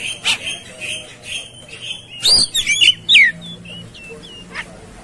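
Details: Fighting Oriental magpie-robin song on a tutor recording: scattered high chips, then a loud run of sliding whistles and a falling slur, followed by soft short whistles over a steady low hum.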